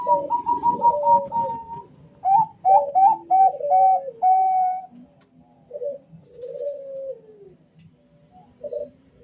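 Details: Two male Bangkok-type zebra doves answer each other, used as a lure to prompt calling: a steady run of whistled coos, then a low rolling coo and a series of short stuttered notes ending in a longer held tone, with faint room noise.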